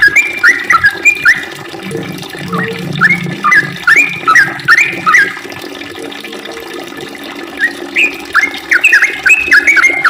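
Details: Sooty-headed bulbul in lively full song with a long rapid 'ropel' delivery: bursts of bubbly, warbled two-note phrases that dip and rise, coming in quick runs with short pauses between, over a low background rumble.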